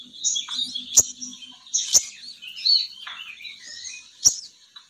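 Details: High twittering and chirps from a female sogon bird, played to lure males down, broken by several sharp clicks over a faint low hum.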